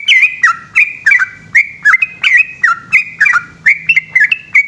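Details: Yellow-vented bulbul giving its long song at night, loud bubbling whistled phrases with sharp downward and upward slurs, repeated roughly three per second in an unbroken chattering stream.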